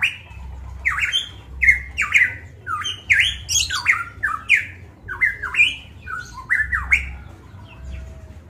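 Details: Golden myna from Manokwari, Papua, singing actively: a loud, clear run of short whistled notes, each sliding down then leaping up, repeated roughly every half second with brief harsh accents; a low hum underneath.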